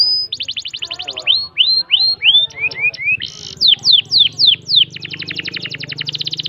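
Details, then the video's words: Canary with long-breath singing: a rapid rolling trill first, then curved whistled notes, a dense buzzy burst, quick downslurs, and another long even trill that fades slightly toward the end. "Burung kenari dengan nafas panjang - kicauan burung"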